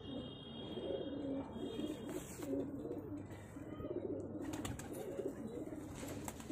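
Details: Cheene pigeon pair cooing: deep, bubbling phrases with rising and falling pitch, repeated almost without pause, plus a brief thin whistle-like tone early on and some background clatter.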